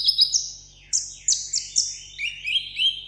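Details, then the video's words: Captive sunbird singing a solo contest song: piercing high whistles that slide downward, a few sharp accented notes, then lower twittering phrases rising and falling, over a faint hum. "hút mật 7 màu hót đấu solo"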